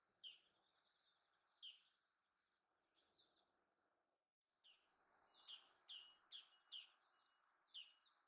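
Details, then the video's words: Japanese tits in Sakura-no-yama park near Narita airport, Japan: quick series of high notes that sweep downward, repeated several times a second in bursts, with a short pause between runs and thin hissing background. "Japanese Tits Singing and Jumping Around"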